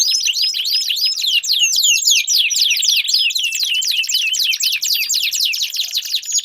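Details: Canary song used as a lure to prompt a silent canary to sing: a long, fast, continuous stream of high swooping notes in rapid repeated phrases, with rolling trills throughout.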